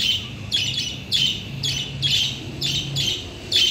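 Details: Caged lovebirds reacting to a new cage, giving harsh, buzzy squawking calls in short bursts about every half second, with a steady low hum underneath.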